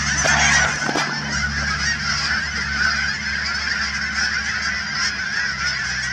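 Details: Massed Canada geese, thousands strong, at the Cheam Wetlands near Chilliwack, British Columbia. Their busy overlapping honking swells louder in the first second, then continues steadily. A faint low hum sits underneath.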